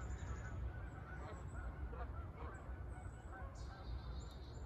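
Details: Canada geese flying overhead in formation on a walking path in Kingsport, Tennessee, December 27, during a rainy spell. Repeated nasal honks from several birds over a heavy low rumble, with a person's voice briefly.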